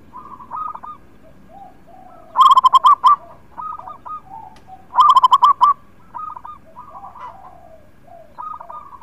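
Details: Local zebra doves singing, used to coax silent birds into song: two loud bursts of quick, pulsed coos about two and a half seconds apart, with softer answering coo phrases from other doves between them.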